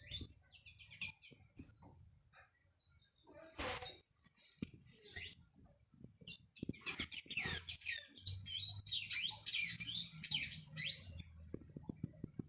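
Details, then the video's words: Blue hummingbird in a backyard, the dominant bird there that drives the others away from the nectar; high squeaky chips, scattered at first, then a dense rapid chatter of twittering notes, with low background rumble. "Beija flor azul💙e son de seu canto e de outras aves( hummingbird)(colibrí) burung kolibri Sinek kuşu"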